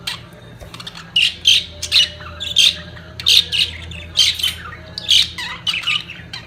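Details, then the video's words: Budgerigars at the peak of their mating season, giving loud squawking chirps in rhythmic bursts about every half second to second, bright and scratchy, with a low steady hum beneath. "طيور الحب البادجي في قمة تزاوجها"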